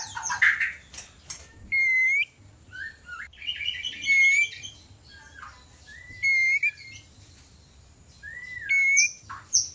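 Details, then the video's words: White-rumped shama singing in a cage during mating, kept to spur breeding urge: long pure whistles repeated several times, broken by a trilled passage and short swooping slurs. "Pancingan ampuh murai kawin ||Terapi burung murai susah birahi dan kawin."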